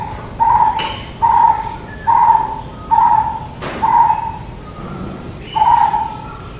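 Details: Brown-headed barbet giving low, hollow, hooting notes, each a short downward-sliding syllable, repeated steadily about every 0.8 seconds in a series of seven, with a faint background hum.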